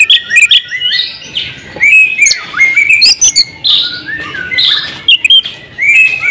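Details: Varied, loud song from a champion oriental magpie-robin in 'buka paruh' style with full 'isian': scattered whistled slurs, falling and rising notes, and high squeaky chatter with short pauses between bursts.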